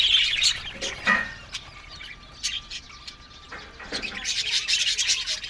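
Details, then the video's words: Aviary budgerigars: scattered sharp chirps and short squawks with quieter gaps, a faint steady tone in the middle, then the flock chatter swells again at the end. "Parakeet's Lonely Budgies Sounds"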